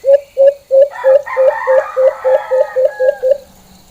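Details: Alimokon, or white-eared brown dove, giving its full normal call: twelve low, hollow hoots repeated about every quarter second. A rooster crows loudly over the middle of the series.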